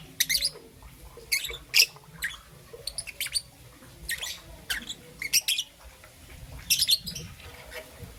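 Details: Morning chirping from a young peach-faced lovebird, green and yellow: brief high harsh chirps in scattered groups of two or three, with faint background murmur.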